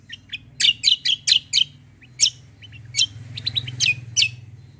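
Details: White-eye, a 'fighter' singing in 'kombo' style for tutoring other songbirds: a series of loud strident chirps about every quarter second, then softer quick twittering and a few sharp downslurred notes; low background hum.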